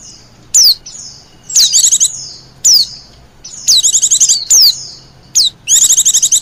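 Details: White-eye lure sound used to call wild white-eyes: sharp, high downward-sliding whistles spaced about a second apart, with two bursts of fast, buzzy, chattering trills. Quiet background.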